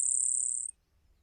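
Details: Grasshopper Sparrow song: a thin, very high, insect-like grassland buzz lasting under a second and suited to carrying over distance and wind, then silence.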